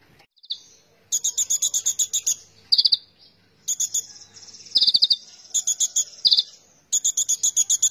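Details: Konin (kolibri ninja sunbird) singing vigorously: high, thin bursts of rapid repeated notes, each lasting about half a second and returning over and over with short pauses between them.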